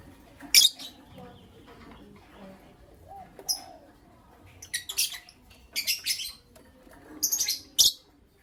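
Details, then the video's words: Morning chirping from Creamino and Lutino Opaline lovebirds, a run of piercing, high, scratchy bursts coming in quick clusters, separated by low murmuring background sounds. "Lovebird Chirping Sounds"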